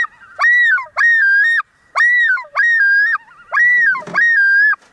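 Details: On an early spring morning on a lake in northern Wisconsin, a common loon calls loud, pure, ringing phrases, each swooping up then holding a level two-part note, repeated roughly every second; a fainter wavering loon answers behind.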